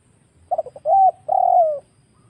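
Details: Wild spotted dove on a recording made to attract birds for trapping, giving a stammered run of brief notes and then two sustained hollow coos, the last one gradually descending; little other sound.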